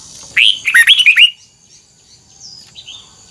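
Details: Red-whiskered bulbul singing during voice training: a single rapid phrase of about six clear, looping whistled notes, followed by soft faint chirps from farther away.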